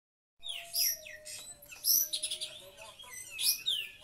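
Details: Oriental magpie-robin singing in a style that mimics the kapas tembak. Rapid high, sharp whistles and short descending slurs come in bursts, with a steady faint low hum underneath.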